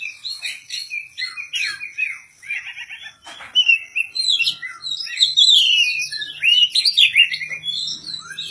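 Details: Oriental magpie-robin (Kacer) primed for a bird-song contest, singing ngobra without puffing up. A continuous, dense medley of warbles, trills and looping whistles builds louder in the second half, full of quick mimicked phrases.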